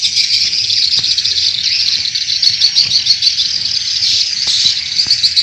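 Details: Lure recording of swiftlets used by swiftlet farmers in Indonesia. A continuous wash of high chirping and buzzy twitters layered over one another, with a few faint clicks.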